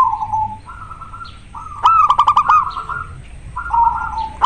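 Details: Song of a local zebra dove in breeding condition: soft drawn-out coos, then a loud run of crisp staccato notes over a bubbling trill, followed by more gentle level cooing.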